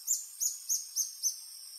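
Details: Adult male Reddish Hermit, Phaethornis ruber ruber, singing on a lek along Sentier de Americains, French Guiana, mid-afternoon on 1 March 2024; five very high, thin arched notes repeated about every third of a second over a steady insect hiss.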